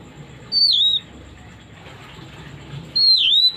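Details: Oriental magpie-robin song used as a lure to draw out a bird's repertoire: two loud, clear whistled notes, each sliding down and then levelling off, separated by a quiet pause over a soft background hum.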